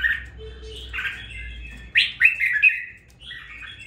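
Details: Red-whiskered bulbul kept in a cage for two weeks and now singing with some spirit: a soft warble, then a loud, lively burst of rich whistled notes that trail off more quietly.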